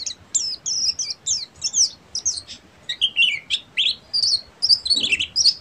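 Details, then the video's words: Full ngeriwik song by a buxtomi-type Oriental white-eye: sharp, high, slurred chirps and warbles in brisk groups, some notes sweeping downward, with steady short spacing throughout. "SUARA BURUNG‼️PLECI BUXTOMI FULL NGERIWIK"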